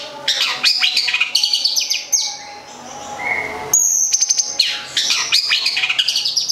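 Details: Kept long-tailed shrike from Gedong Songo, Central Java, singing varied chirps and slurred whistles, a quieter lower phrase midway, then bright high piercing notes and fast chatter.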